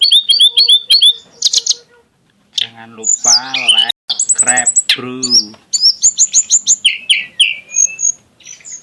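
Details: Tledekan gunung song rich in exotic style and shots: rapid repeated chirps, buzzy harsh notes with low harmonics in the middle, then quick high trills and falling whistles.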